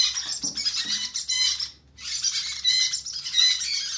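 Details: Conure chicks begging while hand fed: scratchy, high squawking with faint lower clicks early on, a pause near the middle, then renewed steady rasping.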